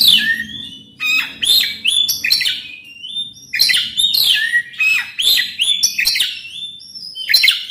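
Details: Oriental magpie-robin pouring out a long varied song meant to trigger another bird to sing: bright downslurred whistles, sharp clicks and rough notes in quick phrases, with one brief break.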